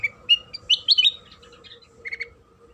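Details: Lure song of a sooty-headed bulbul, used to prompt other bulbuls to sing: bright whistled chirps rising and falling in a short lively burst, then a softer double note, with a low background hum.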